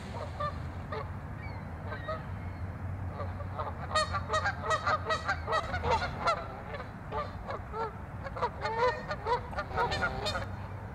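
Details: Turf-war skirmish among Canada geese at Waveland Lake, Chicago: a dense, uneven chorus of overlapping harsh honks, more than two per second, builds after a quieter start over low-frequency hum.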